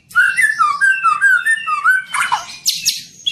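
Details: Young white-rumped shama giving a run of clear, looping whistled notes in a fluid melodic phrase, ending in harsh scratchy bursts and squeaks.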